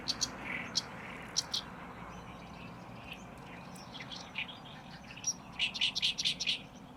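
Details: Oriental Reed Warbler in May in reed beds on the shore of Lake Biwa, Japan, giving loud, harsh, grating chattering song notes, scattered at first, then a fast, loud cluster near the end, over a steady hiss.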